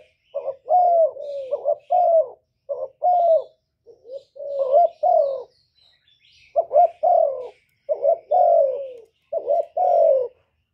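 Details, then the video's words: Spotted dove cooing loudly, recorded directly without background noise and played to stimulate kept doves into calling; repeated low, hoarse cooing phrases of two or three notes, some rising then falling, about eight phrases in ten seconds, clean background. "Cu gáy lớn tiếng, không tạp âm, giọng hay dễ mở, cu gáy kích bổi"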